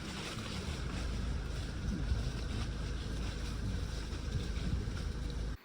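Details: Low rumbling wind buffeting the microphone mixes with boat and water noise throughout, with no animal voice heard.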